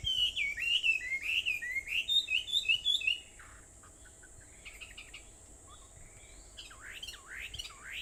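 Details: Bird chorus at 4:30 a.m., Aobayama, Sendai, 21 July 2014: three seconds of rapid slurred whistled phrases, then quieter distant chirps and a few sharp rising notes near the end.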